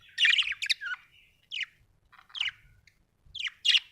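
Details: A budgie chirps in a rough chattering burst, then gives single scratchy, down-slurred notes spaced about a second apart.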